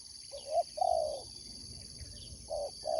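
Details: Sport dove competition spotted dove uttering a short note and a long, full, low coo, then silence before another pair of coos begins, with a steady high whine and low rumble behind.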